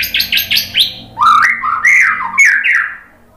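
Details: White-rumped shama (murai batu) singing vigorously in answer to a lure recording: a quick series of four rising chirps, then long, sliding, warbled whistles that rise and fall before fading.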